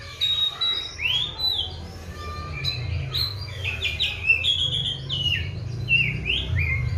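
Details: Kept Oriental magpie-robin singing 'gacor' after a routine of seven crickets and twice-daily bathing; clear whistled notes, upward slurs and quick chirped phrases alternate with short pauses over a faint low hum.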